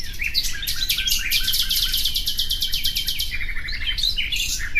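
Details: Common nightingale song built from quick repeated staccato notes running for about three seconds, followed by twisting chirps and slurred whistles, loud and close.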